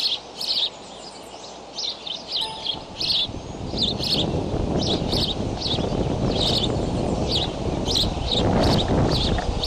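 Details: On a nest camera in Decorah, bald eaglets flap hop on May 20 at 7:28 am; rapid high chirps repeat almost twice per second, while loud low rumbling of wind or wing movement builds from the middle onward.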